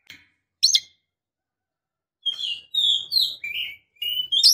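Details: Female Oriental magpie-robin calling a male, two short chips, then a series of clear slurred whistles descending and rising, faint low background rumble.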